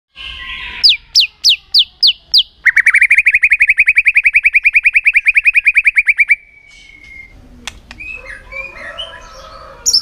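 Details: White-rumped shama, a bird trained to sing for contests: a short run of sharp downslurred notes, then a long fast rattle of rising buzzy notes near two to three kilohertz held for about four seconds, ending in a whistle and scattered chirps.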